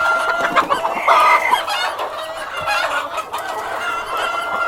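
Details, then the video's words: Cockerel and hens calling, loud harmonic squawks early on followed by quieter overlapping clucks and drawn cackles from several birds. "World of Sound: (Cockerel and Hens)"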